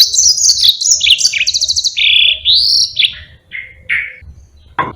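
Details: Long rolling song of a yellow-fronted canary, meant for tutoring other cage birds. Varied high twittering gives way to rapid trills, then slurred whistles that drop lower, ending in a few short separate notes.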